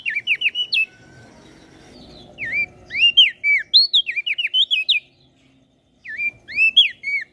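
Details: Common iora and bar-winged prinia singing, Lombok, as tutoring song for cage birds: repeated bursts of sharp, rising-and-falling whistled notes, three phrases broken by short gaps.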